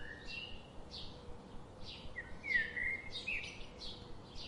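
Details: A bird repeats rapid high chirps, several per second, broken by a louder, warbling whistled phrase midway, with soft background hiss throughout.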